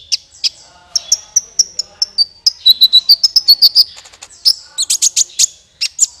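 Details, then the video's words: Kolibri ninja sunbird lure call used for bird trapping: clear high-pitched chirps and sharp ticking notes in fast, uneven runs, with a string of brighter repeated twitters in the middle. "SUARA PIKAT BURUNG KOLIBRI NINJA MANTAP SUARANYA JERNIH"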